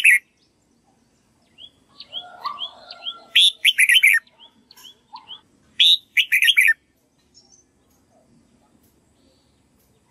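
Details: Red-whiskered bulbul song used to tutor a young white-cheeked bird: bursts of lively, bubbling whistled phrases with sharp upslurred notes, broken by pauses, plus a few softer chirps in between.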